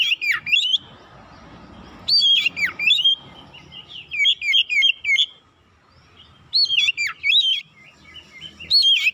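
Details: Kacer, the oriental magpie-robin, in a fast, insistent lure song used to provoke birds: bursts of sharp whistled and warbled notes separated by pauses of one to two seconds, with faint background rustling.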